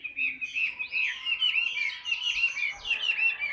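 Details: Loud, varied whistled phrases from a tame, hand-carried Chinese hwamei kept in a cage, notes swooping up and down in quick succession, roughly one phrase per second, with little else audible.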